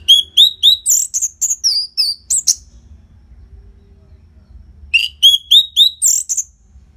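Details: Bali, Indonesia recording of an Orange-headed thrush meant to prompt caged birds to sing: series of rising whistled notes in quick succession, then varied high slurred phrases, pause, and the pattern repeated.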